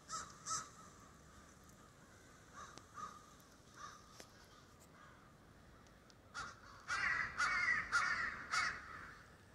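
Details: A flock of crows roosting in the snow in Denver: harsh, raspy caws, two sharp ones at the start, softer scattered calls through the middle, then a dense burst of overlapping cawing from several birds near the end.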